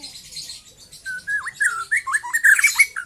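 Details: Young white-rumped shama singing after losing its speckled juvenile plumage. A continuous warbling phrase of looping, slurred whistles rises and falls and grows louder and busier toward the end, with faint hiss in the background.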